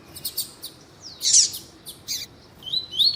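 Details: Tuí-tuí style Double-collared seedeater, bred for song tournaments, answering a calling female meant to warm the male up; scattered high chips, a loud buzzy burst with a downslurred whistle, then thin rising whistled notes.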